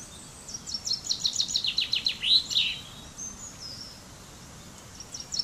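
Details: Fringilla coelebs, the common chaffinch, delivering one accelerating, descending trill of crisp notes ending in a flourish, followed by a few faint thin high notes in the background.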